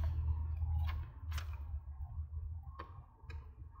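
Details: Indoor crafting noises: scattered ticks and snips of paper and scissors over a low electrical hum, with no animal voice.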